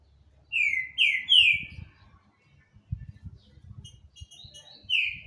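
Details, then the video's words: Green-winged saltator singing: three loud, slurred whistles in quick succession, each sliding downward, then a pause and a few thinner notes ending in another falling whistle, over low knocking noises. "trinca ferro Shaolin cantando muito"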